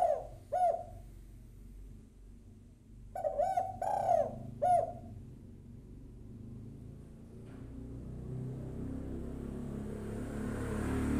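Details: Female spotted dove calling a male, a lure recording: short coos, then a burst of quick soft coo notes, followed by rising background noise with no calls.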